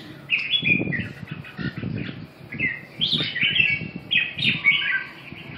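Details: Red-whiskered bulbul song: a series of short whistled, swooping phrases, some rising and some falling, repeated with brief gaps, over soft low thuds and rustling.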